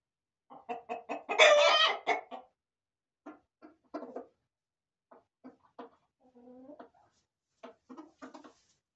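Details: Hens and roosters in a corral: a quick run of clucks leading into a loud harsh squawk, then scattered soft clucks and a low drawn-out murmuring call.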